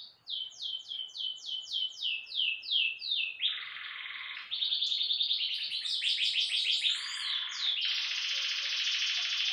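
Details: Azulão (ultramarine grosbeak) in Meia-noite style: about a dozen rhythmic down-slurred whistles repeated roughly every half second, then buzzier, denser warbling phrases and a long harsh buzzy ending.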